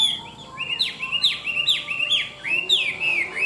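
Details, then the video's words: Tame, large-bodied Chinese hwamei singing well: loud, clear whistled phrases that swoop upward then slide down, repeated about every half second in a rich rolling series, with faint high overtones above. "Họa mi thuần đẹp, hót tốt bộ to"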